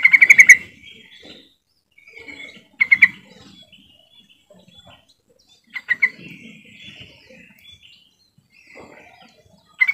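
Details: Yellow-vented bulbul lure call to coax quiet trucukan into song: short bubbly chattering bursts roughly every three seconds, with faint softer notes between them.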